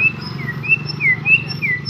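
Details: White-rumped shama at a practice bird singing contest: clear whistled notes, about six in under two seconds, alternating between slightly higher and lower glides. A steady low hum lies beneath.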